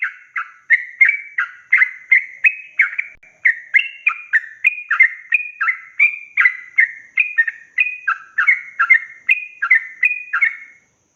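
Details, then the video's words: Long, lively yellow-vented bulbul song for training young birds: an unbroken run of bubbly, slurred whistles, roughly three per second, each note sliding down and back up. "Trucukan gacor ROPEL PANJANG ini BIKIN burung trucuk BAHAN, BAKALAN, MUDA GACOR"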